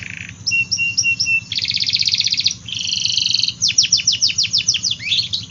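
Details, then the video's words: Singing AF canary, played to coax quiet and young canaries into song: a short low note, steady high piping tones, a buzzy rapid trill, a double-pitched trill, then a series of sharp descending sweeps. "Kenari Gacor Af , Pancingan Kenari Sulit Bunyi dan Kenari Paud"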